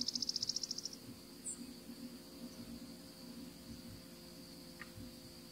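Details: Savannah sparrow, a single bird perched still during winter in Florida, giving one high, rapidly pulsed buzzy trill lasting about a second, followed by quiet, over a steady high insect drone.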